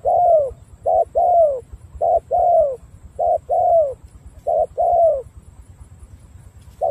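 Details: Spotted dove from Cà Mau, Vietnam, cooing in a steady sequence of paired phrases. Each pair is a short note followed by a longer, mellow, slightly falling coo, about one pair per second, over a low background hum.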